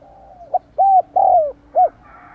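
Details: One clear phrase from a decoy spotted dove meant to stir wild doves: a soft lead-in, then short, long and falling arched coos ending in a brief note, over a faint steady hum.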